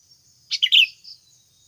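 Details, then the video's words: Single Sooty-headed bulbul phrase from a natural trapping lure recording: rapid bubbly chatter of several liquid notes ending in a soft trailing note, faint background hiss. "SUARA ASLI PIKAT BURUNG KUTILANG UNTUK PANCINGAN BAHAN AGAR CEPAT BUNYI"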